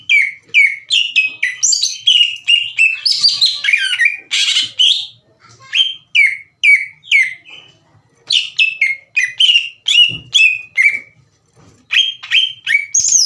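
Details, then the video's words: Green leafbird kept as a singing bird, its song used to provoke slow-to-warm rival birds into answering: series of loud whistled notes sliding down, repeated about twice a second with short pauses. "MASTERAN DAN PANCINGAN CUCAK IJO LAMBAT PANAS UNTUK MEMICU EMOSI LAWAN AGAR GACOR"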